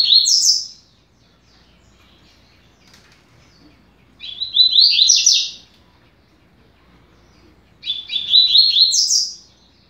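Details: Double-collared seedeater (coleiro) song used to teach birds to sing: three high, bright, fast phrases, each about a second long and rising in quick twittering notes, repeated every few seconds in quiet surroundings.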